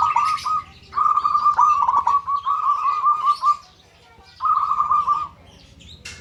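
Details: Local zebra dove calling so others answer, in long sustained stretches of fast, trilling, purring coo notes with brief pauses, and sharp chirps of other birds above.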